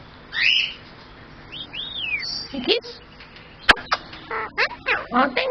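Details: A pet male superb parrot, Ocka, talks in raspy, word-like phrases such as "hello Ocka", "hello cocky", "what are you doing", "who's a pretty boy", "give me a kiss" and "oh thank you", mixed with rising and falling whistles and a sharp click.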